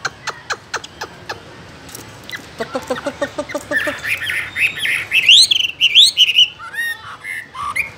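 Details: Caged Chinese hwamei singing: a few dry clicks, then a fast run of repeated chipping notes, building into loud, rich whistled phrases with sharp upward sweeps.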